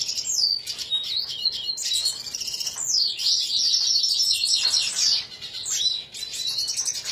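Red siskin giving a rapid, high twittering run of buzzy chirps and trills, near-continuous with brief pauses around five and six seconds.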